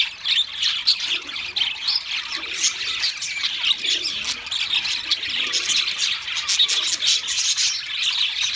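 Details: Several pet budgerigars singing: a dense, continuous high warble of chirps, squawks and rapid twittering notes, with no pauses throughout.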